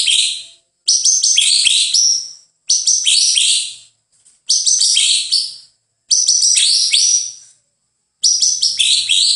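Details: White-rumped shama singing loud varied phrases of rapid chirps and whistles in bursts of about one and a half seconds, each separated by a short silence.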